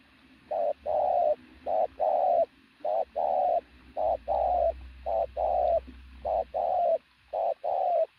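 A pigeon coos loudly and steadily, each low hollow phrase a short note followed by a longer drawn-out one, repeated about once a second with little else heard.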